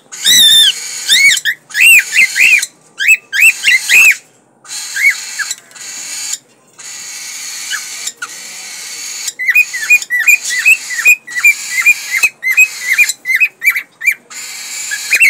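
A male cockatiel sings a string of bright, rising whistles and chirps as a breeding call.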